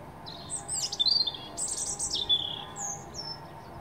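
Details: A European robin sings in the morning, a thin, high, wavering phrase of quick trills and sliding whistles, with a faint low rumble underneath.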